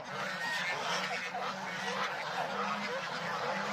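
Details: Domestic geese on a farm, with goslings present, keep up a dense, continuous chatter of overlapping nasal honks and calls with no clear pauses.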